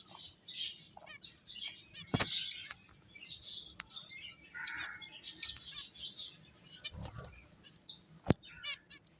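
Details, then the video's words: Playing finches chattering in high, sharp chirps and brief trills, a busy overlapping stream of tiny notes with a few louder clicks and soft background rumble. "Cute Birds Chirping Sounds | Beautiful Finches Playing"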